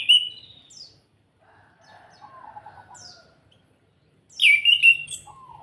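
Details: Kretekan of an orange-headed thrush, Salatiga, Indonesia, used to push other birds to sing fast: a sharp high whistled note, soft scratchy warbling in the middle, then a loud buzzy high squeal and a brief low slur.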